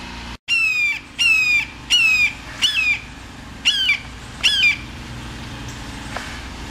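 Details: Florida red-shouldered hawk calling while preening: six loud, clear downslurred screams about every 0.7 seconds, each a short piercing note dropping at the end, with a faint thump at the start and quiet background.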